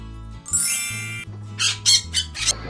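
A parrot gives a long harsh screech, then four short, grating squawks in quick succession, over a faint low hum of background music.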